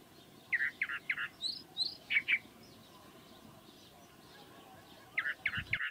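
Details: Chalk-browed mockingbird, the South American calandria, giving clusters of three to four bright, buzzy-edged notes in quick succession, then a pause of several seconds before another rapid cluster; steady faint background hiss.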